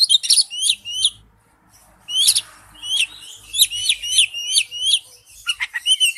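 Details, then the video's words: Oriental magpie-robin giving wild-type song: repeated high downslurred whistles in quick series, a brief pause, then more slurred notes and buzzy trills, faint low rumble behind. "Chim chích chòe than hót giọng rừng"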